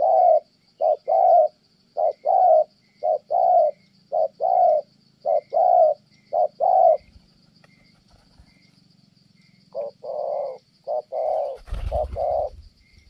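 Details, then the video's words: Spotted dove from Kon Tum, Vietnam, giving a good 'thổ' style coo before a female interrupts: paired short-then-long mellow coos repeated about once a second, a pause mid-clip, then more coos and a brief thump near the end over a steady high insect hum. "Thổ Âm Tốt, đang gù ngon thì mái phá đám"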